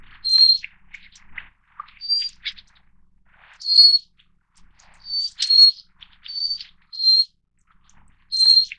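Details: High, sibilant whistled notes of a Little Forktail, Taiwan's endemic subspecies of mountain streams, repeated about every second with occasional doubled notes, softer chirps filling the gaps.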